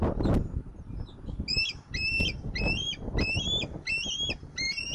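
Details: Bald eagles at a nest in Southwest Florida, 10 October 2024, evening: a series of high, squeaky, chittering piping notes repeated in quick groups over heavy wind rumble.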